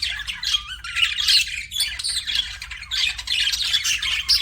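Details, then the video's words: Pet budgies twitter and squawk in a bright, raspy warble, with a short drawn-out whistled note early on and brief dips between louder bursts. "BUDGIES CHIRPING SOUND"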